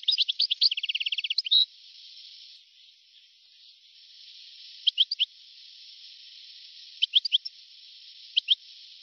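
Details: European goldfinch song from an old recording made between 1982 and 1990: a rapid rattling trill of tinny notes for under two seconds, then a quiet hissy gap broken by short clusters of two or three chirps.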